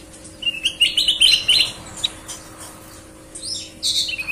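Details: Sooty-headed bulbul, described as singing eagerly with a clean voice much like a green leafbird, delivers a fast tumbling warble of high bright notes lasting about a second, then softer chirps, over a faint mechanical hum.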